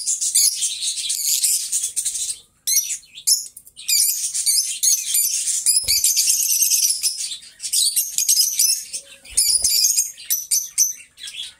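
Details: Two companion lovebirds singing and talking indoors: long stretches of busy, piercing high chatter and squeaks, broken by a few short silences and one or two soft thumps.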